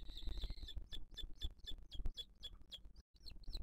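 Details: Nesting booted eagle in 2023 on a live camera, the mother feeding the chick: an opening buzzy note followed by regular sharp, falling high chirps roughly three per second, with muffled thuds beneath.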